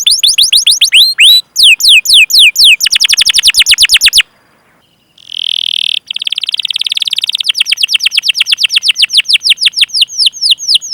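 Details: Canary rolling song as a training prompt for other canaries: swooping whistled cheeps and a rapid rattling roll, a brief silence, then a buzzy trill turning into a long fast roll of repeated notes.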